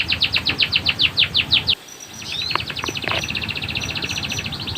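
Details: Canary tutor song for training other birds: a loud pulsing trill of about eight notes per second stops abruptly, then a softer rolling trill and a high whistled tone continue.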